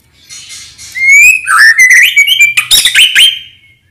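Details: White-rumped shama song in the morning, played to get other birds singing: a rising whistled phrase swelling into loud rich warbling with harsh buzzy notes, fading out after about three seconds.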